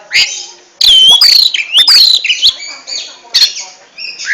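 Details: Kacer, the oriental magpie-robin, singing a ngentrok-style song: bright sweeping whistles mixed with harsh chattering notes and sharp clicks, delivered in rapid bursts.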